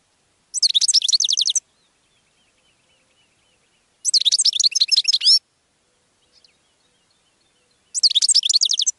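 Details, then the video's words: Goldfinch song: three bright, tinkling bursts of rapid high twittering, each about a second long, separated by pauses of two to three seconds, with a quiet background. "GOLDFINCH SONG"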